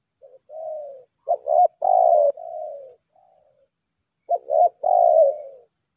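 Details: Lambung kuk spotted dove used as a trapping decoy, calling in challenge. A mellow falling coo comes first, then two quick clipped notes and a long burry coo. The pattern repeats, with a high continuous hum behind.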